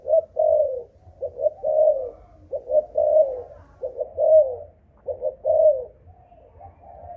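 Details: Malaysian spotted dove with an 'âm thổ' earthy voice, giving rhythmic low coo phrases: paired quick notes then a longer descending coo, repeated through the clip over a faint hum.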